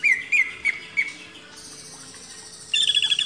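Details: Greater green leafbird from a master recording for training cage birds: four short, sharp whistled notes about a third of a second apart, then a quiet pause, then a burst of high twittering.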